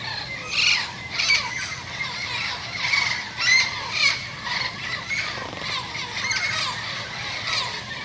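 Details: Turquoise-fronted amazon in a garden, from a group led by a pair that arrives first and calls the others, giving harsh, raspy squawks about twice a second in uneven bursts, with a thin whistle and faint chatter.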